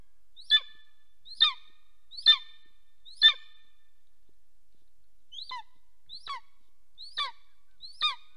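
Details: During mating at the nest in Soomaa National Park, southwestern Estonia, 17 March 2024 at 10:47 am, a golden eagle gives eight short ringing yelps; the first four strong and evenly spaced, then a pause and four softer ones.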